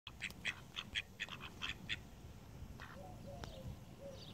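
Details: Call ducks kept with Indian runner and mallard ducks: a quick run of short, harsh quacks close together over the first two seconds, then quieter scattered calls and a low background rumble.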